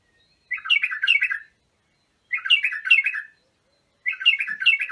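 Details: Bulbul song used to train bulbuls: a bright, bubbling warbled phrase of about a second, repeated roughly every two seconds, with quiet gaps between.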